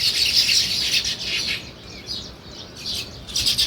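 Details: Sparrows chirping in a dense, overlapping chatter of short high chirps, loudest in the first second and again at the end, with a quieter stretch in the middle.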